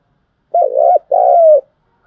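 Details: Cooing of a spotted dove, played to excite decoy birds for trapping. One loud low phrase: a wavering first note, a brief pause, then a longer, slightly falling second note, in clean quiet surroundings.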